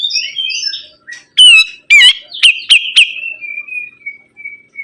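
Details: Sibuntung bird singing actively: a jumble of warbled notes, then loud sharp whistled sweeps and a run of rapid chipping notes, fading into a thin, even trill at the end.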